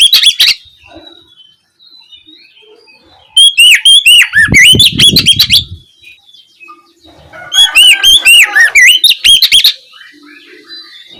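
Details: Ngeplong-style evening song from an Oriental magpie-robin used as a lure: two loud bursts of rapid looping, whistled notes about two per second, with a brief low thumping rumble and faint chips between phrases.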